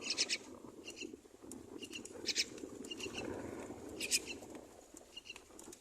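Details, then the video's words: Two baby mynas being fed by their mother on the nest give sharp, high, scratchy chirps in quick doubled bursts, spaced unevenly about every second, against a dull low background hum. "Mother myna bird feeds two babies on nest"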